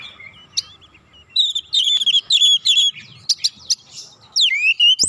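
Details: Magpie-robin song played as a lure to get slow-singing birds going: soft warbles, then bursts of bright chattering, slurred whistled phrases with sharp high clicks, ending in a swooping whistle and a brief thump.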